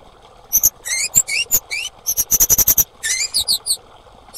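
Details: Female orange-headed thrush: scattered rising whistles give way to a rapid burst of sharp, high chips, then more upslurred notes; a sound intended to trigger singing in mute or stressed birds.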